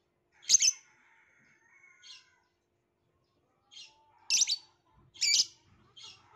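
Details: Violet lovebird producing scratchy, shrill chirps in uneven pairs and singles, some loud and grating, others softer, separated by brief pauses.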